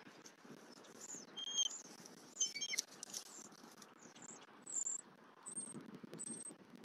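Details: Female bald eagle at a nest in Southwest Florida, 23 November 2024, calling loudly as her mate delivers a fish; thin, high piping whistles and chittering notes in short bursts over steady outdoor noise.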